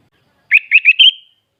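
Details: Sooty-headed bulbul from Klaten, Central Java, Indonesia: one brief phrase of four quick, clear, slightly rising notes, the last drawn out into a thin fading whistle.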